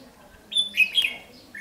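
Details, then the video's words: A red-whiskered bulbul, a decoy at a trap on 8 July 2016, gives a quick burst of bright, slurred chirps, three notes in half a second, then one more rising note after a short pause. "chim chào mào ché chét nạt mồi"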